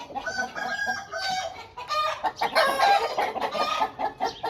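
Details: Home-bred Aseel birds calling together, with overlapping crows and clucks forming a dense, continuous chorus.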